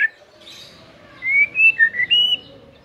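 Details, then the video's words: White-rumped shama, a caged lazy singer being provoked to sing, gives a short run of clear whistled notes, rising and falling, after a faint high warble. "PANCINGAN EMOSI MURAI BATU PEMALAS MATERI PEDES TEMBAKAN RAPET"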